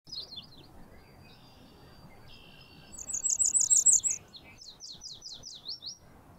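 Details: Cape May warbler at Mud Lake, Ottawa, 2023, gives a quick burst of very high, thin, repeated seet notes, then a few slurred high notes, over soft hiss; background music may be present.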